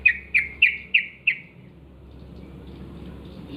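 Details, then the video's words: Morning song of a wild yellow-vented bulbul: five sharp, loud notes, each sliding downward, repeated about three per second, then quiet with soft background hiss. "trucukan gacor ngalas pagi hari suara khas trucukan liar"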